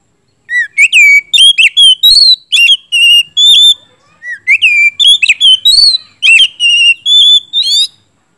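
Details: Oriental magpie-robin in loud, lively 'gacor ngeplong' song, used as a lure to get silent magpie-robins singing: rapid run of clear whistled notes, rising and falling slurs, two bursts separated by a brief pause, no other sounds.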